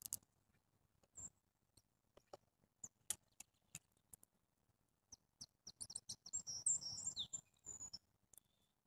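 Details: After scattered sharp clicks and taps, a grey-headed junco bursts into a short, high, squeaky twitter near the end, including a downward-sweeping note, then falls silent.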